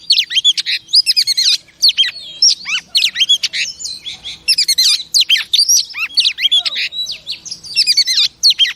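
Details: Female oriental magpie-robin, recorded to excite male cage birds, pouring out a loud, dense, varied song of swooping whistles, rapid chips and trills in long phrases with brief gaps.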